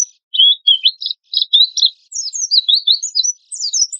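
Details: Oriental white-eye pouring out energetic 'tembakan kasar' lure song: quick high twitters in tight bursts, a short gap around two seconds, then a busier stretch of sliding chirps to the end.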